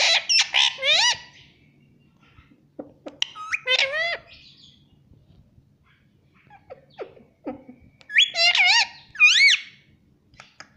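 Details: Pet parrot talking, said to say mummy: loud bursts of harmonic, warbling syllables with rising and falling pitch in three groups, at the start, around four seconds and near the end, with quiet clicks between.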